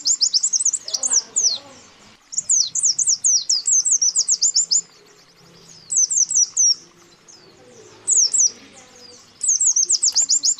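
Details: White-eyes give fast bursts of high, thin, rising chirps, several per second, in runs of one to three seconds with short pauses. This is a lure recording of male and female calls summoning rivals, used to attract wild birds.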